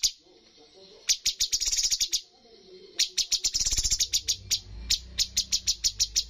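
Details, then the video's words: Bulbul competing at a bird contest with a full 'tembakan' song: after a quiet start, bursts of piercing high notes run into quick trills, followed by evenly spaced chips; low hum underneath. "cucak cungkok full tembakan poin tertinggi dalam perlombaan burung"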